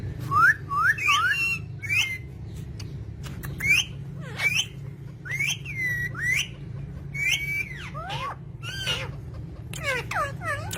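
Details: Pet green talking parrots giving bright slurred whistles, rising then falling, in short bursts of two or three notes with brief gaps, plus a few sharp downward squeaks, over a steady low hum.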